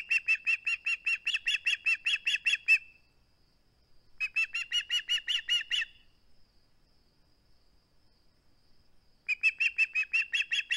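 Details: Osprey at its nest on a live camera, 21 August 2020, unwilling to part with its flounder: three bouts of rapid, sharp whistled chirps, about three per second, separated by pauses, with a faint steady high hum behind.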